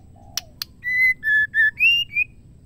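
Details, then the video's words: Calling female Oriental magpie-robin addressing a male: two soft clicks, then five full whistled notes, a level one, two lower ones and a rising pair ending higher. "MURAI BATU BETINA GACOR MEMANGGIL JANTAN"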